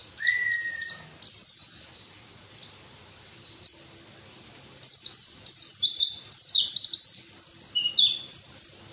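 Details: White-eye song, played to stir lazy captive birds into singing, opens with a steady mid-pitched whistle. High twittering follows, then a short lull and a dense run of high, quick, slurred and trilled notes.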